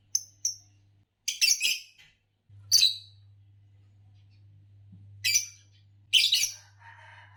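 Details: Fischer's lovebird of the green type, known for long-duration songs, giving clipped high chirps and several harsh rasping bursts spaced by quiet gaps, with a soft warbled note near the end and steady background hum.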